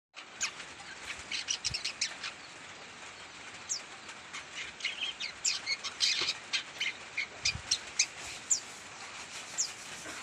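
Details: Young long-tailed shrike still learning to sing: scattered, irregular short chirps and thin high notes, loose and unstructured, rising to brief denser bursts near the middle, over a steady background hiss.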